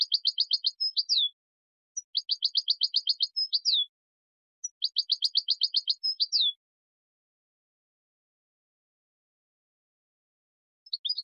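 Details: European goldfinch song for teaching young goldfinches, three bursts of fast, bright repeated notes, each ending in a short slurred flourish, separated by pauses of about a second, with a brief fragment near the end; clean recording without background noise.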